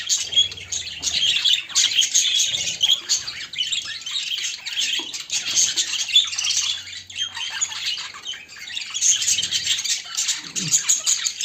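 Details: Caged budgerigars chatter nonstop while a white bird is described as seeking a mate: busy, scratchy warbles and sharp chirps rise and fall in waves, with a few soft low thumps near the end.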